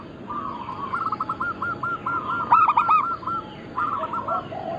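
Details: Local zebra doves, a lure or training recording for the kutut lokal Bangkok cross: many soft rolling coos near one pitch overlap, with a louder burst of three quick coos in the middle, several doves calling together.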